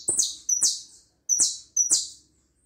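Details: Uruguayan hooded siskin giving four quick high-pitched twittered phrases, each starting with a thin whistle and falling into a buzzy chirp, with faint clicks underneath.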